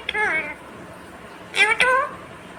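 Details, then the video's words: A talking rose-ringed (ringneck) parakeet, green, speaks in a high, nasal, speech-like voice, perhaps "mummy papa": one short phrase, a pause, then two quick syllables, in a small quiet room. "Natural Sound of Talking Ringneck green parrot 🦜||Talking Parrot mummy papa"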